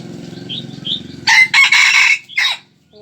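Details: Decoy red junglefowl from early March 2020 crows after a low rumbling background and soft high whistles: three harsh, broad bursts, the middle one longest, and a short tail note.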